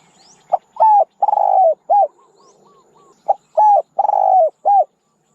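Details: Decoy recording of a spotted dove: two cooing phrases of a short note, a steady coo, a long trembling coo and a clipped last coo, with soft quiet notes between the phrases.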